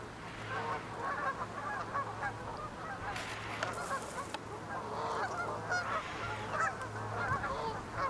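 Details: Large flock of Canada geese stopping at a pond during spring migration north toward nesting grounds, with ring-necked ducks, mallards, common goldeneyes and lesser scaup nearby; dense overlapping nasal honks, many birds calling at once, constant clamor.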